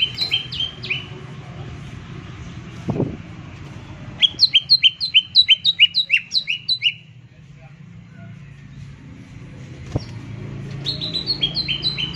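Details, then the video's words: Green leafbird (cucak ijo) delivering repeated tembakan bursts to provoke silent leafbirds: three fast runs of sharp, paired chirping notes separated by pauses, with low background hum and a couple of clicks. "PANCINGAN TEMBAKAN CUCAK IJO"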